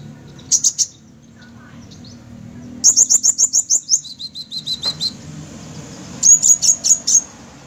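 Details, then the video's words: Sunbird delivering 'gacor' song: a short high double burst, then a long quick series of shrill clipped notes fading slightly, followed by another brisk run of thin ticks. "Kolibri Ninja Gacor"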